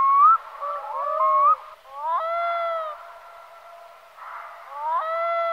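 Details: Repeated haunting wails of a black-throated loon, beginning with short upward-slurring notes and followed by two long, level, harmonic-rich cries separated by quieter gaps.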